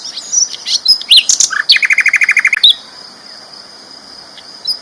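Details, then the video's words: Sikatan londo flycatcher, a champion bird singing loudly and vigorously, used as a tutor recording for training other songbirds: a burst of varied high chirps and whistles, then a fast even series of about a dozen sharp notes, over a steady high whine. "BURUNG SIKATAN LONDO GACOR ISTIMEWA KERAS LANTANG MASTERAN BURUNG JUARA"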